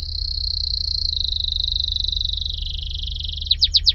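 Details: Canary delivering a sustained, very rapid rolling trill for over three seconds that slowly sinks in pitch, followed by four loud, sharp downslurred notes.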